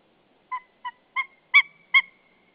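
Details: Male white-tailed eagle calling to his mate as she arrives at their nest at Saunja, Estonia, 24 February 2013, 12:47. Five ringing, yelping notes at steady intervals, each louder than the last. Otherwise quiet.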